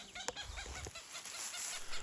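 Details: A female Cooper's hawk near her nest in low-elevation riparian maple and scrub-oak forest in northern Utah gives a rapid, harsh, evenly repeated, somewhat nasal run of kak notes, over low wind rumble; she had been chasing a raven.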